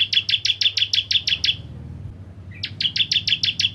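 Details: Ciblek Kristal, a Bar-winged Prinia, sings its lure song for other prinias: two bursts of ringing, evenly spaced high chips separated by a one-second gap, with a low background rumble.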